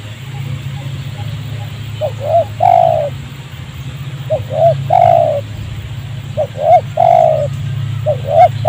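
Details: Spotted dove calling during trapping in a rubber plantation near a village, a wild bird agitated by a decoy. Three rounds of two hooked coos then a longer falling coo, over a steady low drone.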